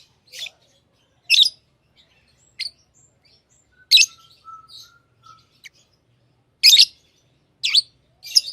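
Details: Tame lovebirds chirping in high, sharp single notes spaced a second or more apart, with a faint thin whistle between them.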